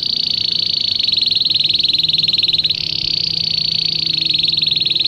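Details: Belgian canary song for teaching canaries to sing: one continuous, very fast, high buzzing trill holding nearly steady pitch throughout, with a slight shift midway.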